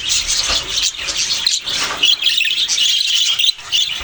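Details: Budgerigars give a brief burst of busy, high, buzzy chatter with rapid chirps and a few clearer whistled notes, almost without a break.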